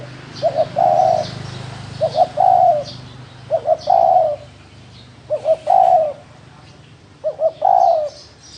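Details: Cooing 'thổ đồng' spotted dove: each phrase is a pair of brief low notes followed by a longer mellow coo, five phrases spaced about two seconds apart, with soft high bird chirps in the background.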